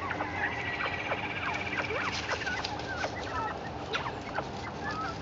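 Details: Captive Northern Bobwhites chatter in a busy group as they are given chickweed, which they love: quick, overlapping short whistled peeps and chirps, several each second, with a low steady background hum.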